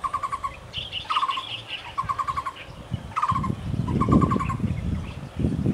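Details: Muller's barbet in Kenting, Taiwan, repeating quick runs of hollow mid-pitched notes in short bursts, while another bird chirps higher and loud low rumbling noise rises in the second half.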